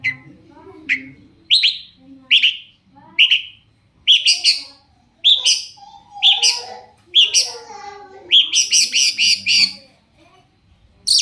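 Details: Long-tailed shrike song used as a lure to make other shrikes answer: short sharp chirps, singly at first, then in quick clusters of bright, clipped notes with brief pauses between bursts.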